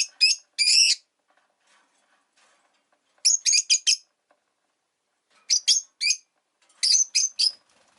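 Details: Rosy-faced lovebirds kept as pets, five birds in a windowside cage, giving clusters of three to five shrill, clipped chirps separated by quiet pauses of about two seconds.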